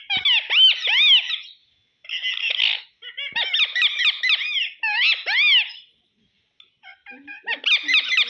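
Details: Pet ring-necked parakeet talking indoors, saying "mamma pappa": bursts of harsh, buzzy mimicked syllables with arching tones, in several phrases separated by short pauses.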